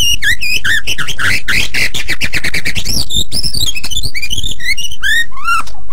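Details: White-rumped shama in very vocal song used as a master recording for other birds to learn: a fast, varied run of rich whistled slurs, harsh buzzy notes and sharp clicks, densely packed with hardly a pause.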